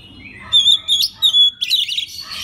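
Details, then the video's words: Oriental magpie-robin master song: several clear steady high whistles followed by a dense harsh warbling flourish. "pagi siang malam kacer lain ikut gacor. isian master kacer. suara kacer"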